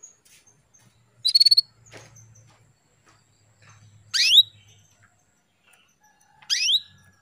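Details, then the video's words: Calls of a female canary meant to stir a male into breeding readiness: one quick rattling chirp, then two sharp downward-sweeping tweets a couple of seconds apart, with faint low rumble behind. "CUITAN KENARI BETINA MEMANCING BIRAHI JANTAN JADI CEPAT GACOR"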